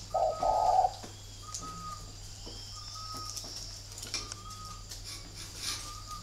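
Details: Spotted dove of a local wild-type strain, prompted to call in a fight-style contest, giving a couple of low, hollow coos at the start, then fainter higher notes repeating over a steady electrical hum.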